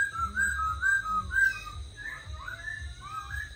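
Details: Tame caged black laughingthrush singing and dancing while set on a table: soft, clear whistled phrases that slide up and down, several short notes in quick succession, then a pause and a few rising whistles, over a faint steady electrical hum.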